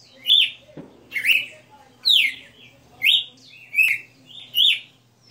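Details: {'caption': "Red-cowled cardinal, a kept bird, singing a '60 notes' style song: six bright whistled phrases in about five seconds, each a slurred, warbling burst with a falling tail, separated by short pauses over a faint low hum."}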